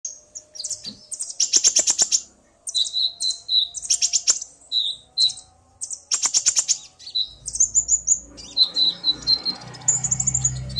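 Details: Male Common iora singing excitedly, provoked by a female's call as male and female answer each other: bursts of rapid high chirps and buzzy notes with brief pauses, two harsh rattling bursts, and low rumbling noise near the end.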